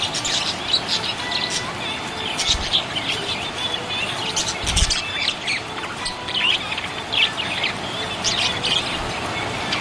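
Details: A cheerful budgie makes high twittering chirps and short squawky notes in uneven clusters, with a couple of low thumps and a steady background hiss.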